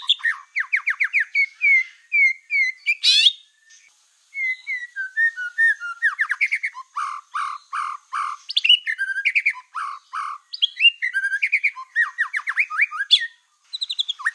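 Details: Lively lure song of a black-tailed white-rumped shama, meant to rile other shamas: a long, varied string of whistles, quick chips, rising slurs and rapid trills, broken by brief gaps.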